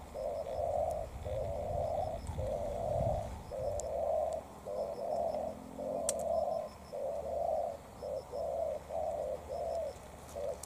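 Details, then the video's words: Spotted dove, a decoy bird challenging a wild bird; low hollow coos around 600 notes, repeated in steady paired phrases through the clip, with faint low rumble beneath. "Mồi Cụt Đuôi DNa Quyết chiến Bổi Đồng Sấm"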